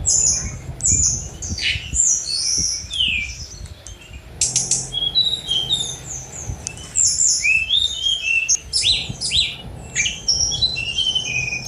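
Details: Sunda robin (tledekan gunung) pouring out a long fast song of high whistles, slurred swoops, buzzy bursts and sharp clicks, barely pausing throughout.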